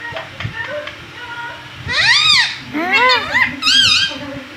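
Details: Talking pet parrot indoors mimicking mummy: after a quiet opening, three loud, bright, rising-then-falling harmonic phrases come in quick succession, with low room noise underneath.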